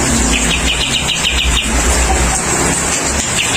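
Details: Bulbul in rain, given rain therapy to make it sing freely: a rattling run of short high chirps early on, then fading under loud continuous rainfall and low rumbling.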